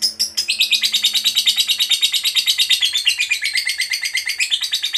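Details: Lovebird of the fighter type in full ngekek panjang: a sustained, scratchy, high chatter pulsing roughly six times a second, wavering slightly in pitch and never pausing across five seconds. A faint low hum lies underneath.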